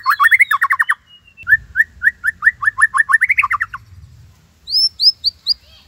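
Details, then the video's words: White-rumped shama (murai batu) singing a tembakan Cililin phrase: bursts of quick rising whistled notes run together, a pause, then a longer rapid series and a few sharp high upslurred notes, with faint low hum behind. "Murai Gacor !! tembakan Cililin Cocok Buat Masteran upgrad isian Murai"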